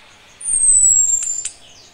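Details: One thin, high, downward-sliding whistle from a female orange-headed thrush calling a male when ready to breed, the nritik call, with two brief clicks near its end and low rumble beneath.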